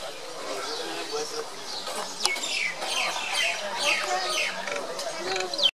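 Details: In Kaziranga, Assam, India, on 15.2.17, Common myna (Acridotheres tristis tristis) chatter: dense overlapping squeaks, gurgles and sharp downslurred whistles, growing louder around the middle and ending in a shrill high note.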